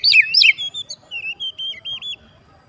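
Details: Provoking song of a white-rumped shama, used to make other birds respond: two loud warbled notes followed by a series of steady, evenly spaced whistled notes, each wavering slightly.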